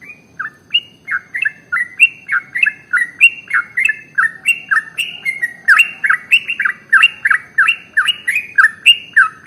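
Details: Long, unbroken song of the trucukan or sooty-headed bulbul, played to encourage other birds to sing: loud chattering notes stepping up and down in pitch, three or more per second without pause.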